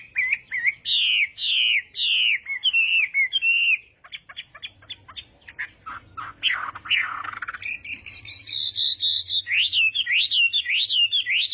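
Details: Chinese hwamei practising its contest singing in the morning, with repeated looping whistles, a burst of scratchy notes and a squawk, then high, quick rising whistled phrases.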